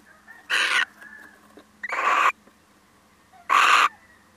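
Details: Male little owl that comes by to visit, giving three harsh, rasping, broadband screeches of about a third of a second each, spaced roughly one and a half seconds apart, over a quiet background.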